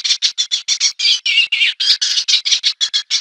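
Eastern olivaceous warbler giving a fast, scratchy chatter of harsh, buzzy notes, about six per second, steady and high-pitched with no other sounds.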